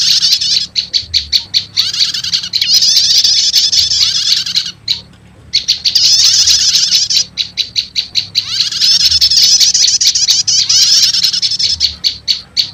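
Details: Prinia lure calls meant to quickly bring in wild prinias: quick series of sharp high chips alternating with long rolling chattering bursts, separated by short pauses, repeated over the clip.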